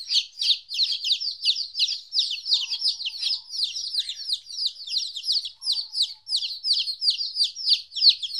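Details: Fourteen-day-old chicks separated from their mother for the first time call in a fairly even stream of sharp, high chirps, each sliding down in pitch, many birds overlapping.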